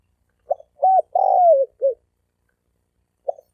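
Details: A male spotted dove calling to draw females gives a short note, a rising coo, a long, descending coo and a final soft note, then starts again after a pause.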